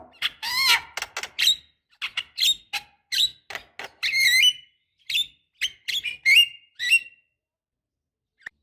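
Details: Black-winged starling calls played to stimulate young birds that rarely call: a busy sequence of clipped, high, harsh notes and squeaks, some buzzy, about two per second, fading out near the end.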